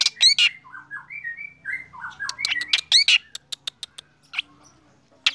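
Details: Black drongo in lively morning song: a run of downslurred whistled notes stepping up and down, then loud harsh chattering bursts and a string of sharp dry clicks spaced about a quarter second apart.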